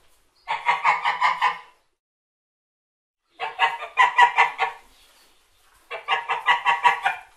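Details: A white domestic goose gives three bursts of rapid, nasal, honking notes, about eight to a burst, with quiet gaps of two seconds between them.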